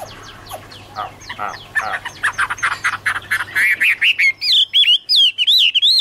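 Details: Chinese hwamei singing in autumn, 2017: a rapid run of short chattering notes that builds into loud, looping whistled phrases. The phrases climb in pitch and repeat quickly toward the end over a low steady hum.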